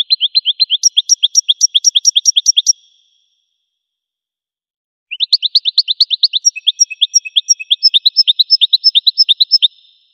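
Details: Goldfinch trilling: a long run of rapid, evenly spaced high chirps, a silence of about two seconds, then another fast twittering series with higher tinkling notes mixed in.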